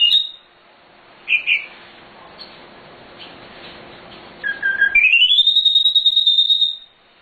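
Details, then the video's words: Nightingale song used as a master recording for training cage birds. A few brief chirps are followed by a long, steady whistle that slides upward and then holds high, over a faint background hiss. "Suara Sikatan Londo Nightingale Gacor Full Isian Cocok Untuk Masteran Burung"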